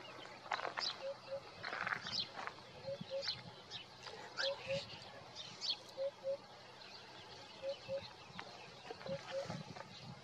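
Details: Morning song of a Eurasian hoopoe, captured on a Nikon Coolpix P1000: paired low hooting notes repeated steadily every one to two seconds, with sharp high chirps from other birds and some rustling noise around them.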